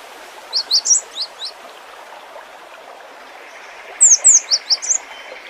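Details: Full song of a Cinereous tit: two bursts of high, quick, slurred whistled notes, each a tumbling run of five or six chirps, separated by a few seconds of steady background hiss.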